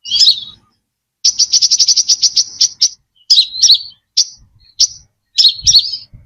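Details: Brown-throated sunbird song as a lure, without background noise: a slurred twitter, then a rapid series of about fifteen sharp high chips, followed by spaced single chips and squeaky warbled phrases.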